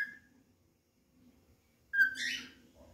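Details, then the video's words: Pet cockatiel singing while looking for another cockatiel to play with. A short whistle opens, then after a pause comes a louder rising whistled note that breaks into a raspy, buzzy chatter. "Calopsita cantado e procurando nenê Nick para brincar"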